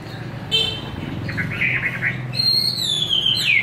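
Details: Chinese hwamei, forest-style singer fed home-made feed, with brief chattering notes followed by a long clear whistle that slides steadily downward.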